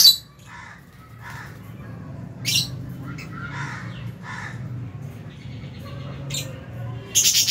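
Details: Meal time in a lovebird aviary in January 2023, among albino, Fisher's and lutino birds with a budgie eating nearby; a mix of loud harsh squawks and softer chattering chirps over a steady hum.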